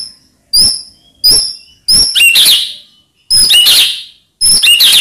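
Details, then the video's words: White-rumped shama song played to provoke rival birds into answering: short very high thin whistles and brief crackling bursts, repeated in separate phrases. "Ampuh Buat Murai Lain Terpancing Emosi Seketika Insyallah Langsung Nyaut"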